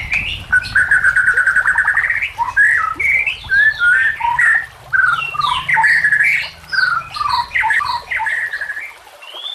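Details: White-rumped shama song used to train or lure other shamas: a steady, rich medley of whistled and chattering phrases in rapid bursts, pausing briefly between groups, with a faint low hum in the first half.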